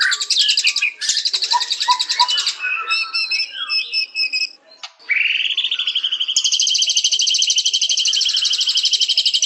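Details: White-rumped shama song: a rich, fast run of varied phrases, with dense high buzzy trills, short whistled notes and sharp chips, then a long steady rapid high trill over a lower sustained whistle. No other sounds.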